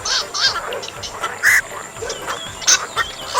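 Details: Black-crowned night heron call used to lure birds into nets: short harsh honking notes repeated at irregular intervals, with high rattling and ringing tones over a steady background hiss.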